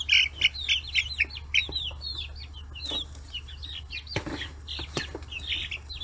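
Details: Chicks, forty days old, raised free-range in Kitahiroshima, Hiroshima, crowding fish heads; rapid loud high peeps, about four per second at first, then a chorus of softer chirps and pecking taps.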